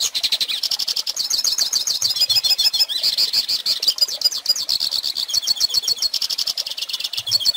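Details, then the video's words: Song of a pintassilgo (Hooded Siskin), recorded to teach young birds: an unbroken, fast, jingling twitter that climbs and falls in short runs, with trills and brief buzzy phrases throughout. "Pintassilgo Cantando Ensine Filhotes!!!"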